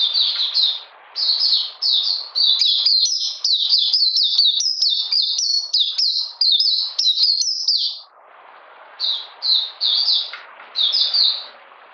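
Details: Oriental magpie-robin recorded 13 June 2020 in cold rainy weather, delivering a long fast run of loud, downslurred whistles in tight succession, then a short pause and several separate whistled phrases.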